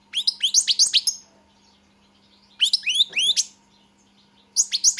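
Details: European goldfinch delivering short phrases of sweet, rising whistled notes mixed with twitters, repeated every couple of seconds with quiet gaps between, over a faint steady hum.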